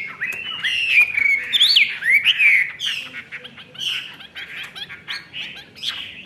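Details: Caged Chinese hwamei with its tail fanned, singing loud varied whistled phrases that rise and fall, with rapid slurred notes and short buzzy bursts in quick succession.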